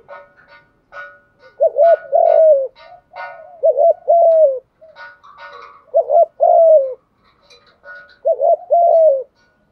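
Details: Repeated phrases from a spotted dove, meant to stimulate newly caught doves: four phrases about two seconds apart, each a brisk doubled coo and a longer sliding coo, with faint high chirps between them.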